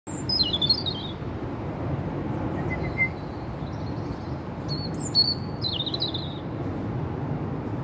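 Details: Robin, a female visiting a park in the rain to take food and greet her visitor, gives thin, high twittering notes and short trills spaced across the recording over a steady rumbling rain and traffic background.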